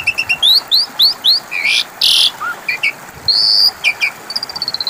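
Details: Asian pied starling lure song for birds gone quiet: rising whistles repeated in a row, loud harsh blasts, then a drawn whistle and a rapid trill of thin notes.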